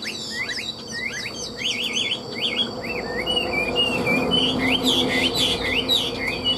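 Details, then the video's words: A Chinese hwamei kept caged for sale, said to nod and sing ornamented, trilling phrases like a machine: fast, looping zigzag whistles tumbling in dense runs, then a series of rising slurred notes, loud and continuous. "Họa mi đẹp hót hay, Cao cầu đuôi lá vả, Gật gù luyến láy hót như máy"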